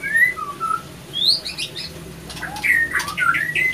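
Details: White-rumped shama pair, male and female, clashing after a failed pairing; clear whistled slurs, a rising note, then a burst of harsh notes and flutter, followed by more whistles.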